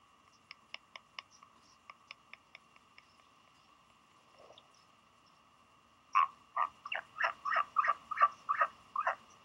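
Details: A wary female Northern royal albatross chick, about six weeks old, at Pukekura/Taiaroa Head, New Zealand, on 11 March 2020, unsure an arriving adult is her parent, gives a run of quick, sharp clicks, then loud, throaty pulsed calls, about three per second, in a short burst.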